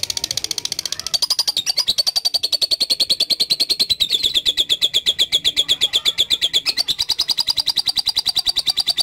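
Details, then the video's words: Lovebird performing a drawn-out ngekek song for training: a continuous machine-gun run of shrill, even pulses lasting over nine seconds, pitch dipping slightly in the middle then climbing back. "LOVE BIRD GACOR NGEKEK PANJANG"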